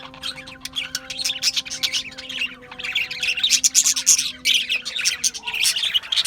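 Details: Loud, continuous chirping of Australian budgies: busy scratchy chatter and squawks overlapping from several birds, hardly pausing, with a faint humming tone below.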